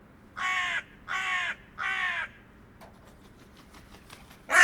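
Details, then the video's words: Hooded crow (Corvus cornix) recorded in the wild, giving three harsh, hoarse caws about 0.7 seconds apart, followed by a pause with faint clicks and the start of a loud fourth caw. "Hooded Crow Sound – Song & Bird Calls"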